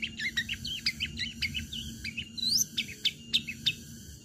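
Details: Long-tailed shrike in sharp 'tarung tajam' song, played to make other shrikes sing along: quick varied warbling with short twisting whistles, one long rising sweep partway through, and sharp clipped notes toward the end.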